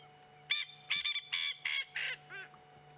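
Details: A Coqui francolin on an afternoon drive, 28 Oct 2016, calls non-stop, giving its territorial call: a run of harsh, ringing notes that tail off lower. At least two others answer in the distance.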